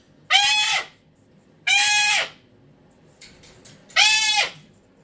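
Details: Pet cockatoo's meltdown: three drawn-out harsh screams, each falling off at the end, spaced about 1.5 seconds apart, with faint clicks in between.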